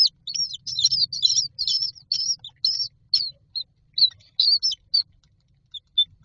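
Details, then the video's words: Common myna chicks in a nest box waiting to be fed, uttering quick high-pitched squeaky chirps in clustered bursts that thin out into sparse single notes. "Myna chicks are standing in a row waiting for food"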